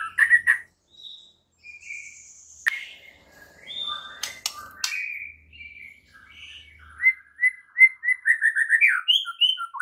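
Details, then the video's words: White-rumped shama morning training song meant to make other shamas sing: scattered whistles, sharp clicks and a faint low hum, then a lively rising series of quick whistled notes. "MASTERAN Murai Batu PAGI INI mampu buat Murai Batu MACET TOTAL jadi GACOR NGAMUK seketika"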